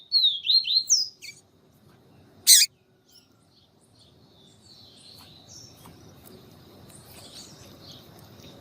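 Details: Yellow-bellied seedeater in siu siu style, female calling to warm up the male; an opening phrase of high, looping whistled notes, a loud click, then only faint distant notes over low background noise.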